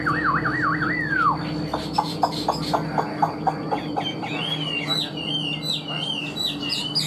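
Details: Caged Chinese hwamei kept as a songbird, opening with loud wavering whistles that slide down, then a run of sharp clicking notes, then rising warbled whistles with fainter chirps behind.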